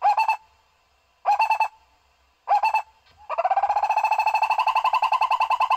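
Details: Barbet call used to lure barbets for trapping: three short throaty stuttered phrases at about one-second spacing, then a long, fast rolling trill that slowly rises in pitch.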